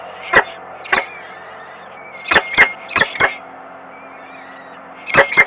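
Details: Peregrine falcon at a nest in Włocławek, Poland, during feeding at 12:42 on 7 May 2021: short, harsh, broadband calls given singly or in quick pairs, with gaps of about a second between, over a steady low electrical hum.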